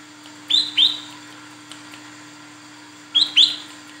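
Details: Female Olive-backed Sunbird calling the male, used to attract males: two pairs of sharp, rising high chirps about three seconds apart, with near silence and a faint hum between them.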